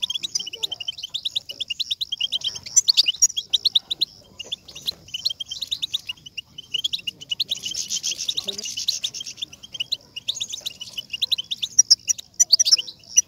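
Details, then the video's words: European goldfinch song played to stimulate a goldfinch to sing at once: dense, fast tinkling twitter of high chirps and trills, continuous with brief pauses and a burst of richer, busier notes in the middle, clean background. "بتبتة لتحفيز الحسون و جعله يغرد فوراً"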